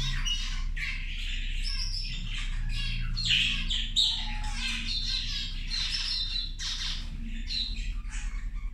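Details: Several zebra finches at their midday meal give distinct, nasal, trumpet-like beeps and chirps at irregular intervals, over a steady low mechanical hum.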